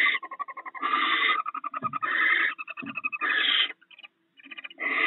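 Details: Barn owl pair feeding on stored rats at the nest in the early morning. Rapid chittering notes run almost continuously, broken by loud rasping screeches and a couple of low scuffling thumps.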